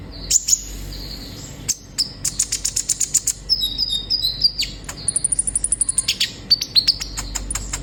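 An olive-backed sunbird sings a very high, thin twittering song of quick sharp chips and rapid trilled runs, delivered in bursts over several seconds.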